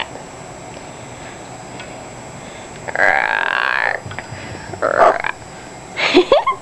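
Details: Pet Amazon parrot indoors barking: three harsh, nasal, dog-like barks in bursts over a quiet room hum, followed by a few sharper squawky notes.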